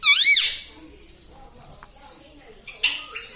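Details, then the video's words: Talking parrot, said to say "Papa" and "Mummy", gives one loud, squeaky, wavering rising-and-falling cry at the start, followed by a long quiet stretch with faint high chirps near the end, indoors. "Papa Mummy Bolne Wala Tota - Talking Parrot - Me Tota Me Tota || batuni tota"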